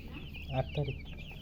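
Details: Baby chicks thirsty for drinking water make high, repeated peeping chirps, overlapped by two short, lower clucking sounds from an adult chicken, against a low humming background.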